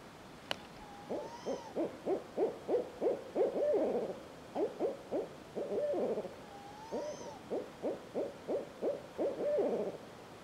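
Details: A barred owl in the Alberta wilderness gives two rhythmic hooting phrases, each opening with a sliding note, then a quick run of about a dozen mid-pitched hoots ending in a drawn-out hoot.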